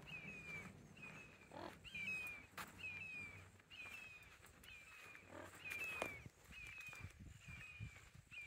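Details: Two red-shouldered hawks dueling on Cool Trail at Little Big Econ State Forest, Geneva, Florida: loud, high, down-slurred kee-ah screams traded about once a second, with a low rumble of wind.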